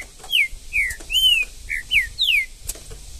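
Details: Green-winged saltator singing in the woods: six clear whistled notes, each slurring downward, given in quick sequence with short pauses between them, over a quiet background.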